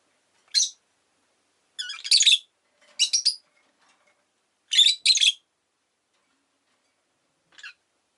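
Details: Rosy-faced lovebird giving short, shrill, harsh chirps in scattered bursts, some doubled, with long quiet gaps between and a faint final note.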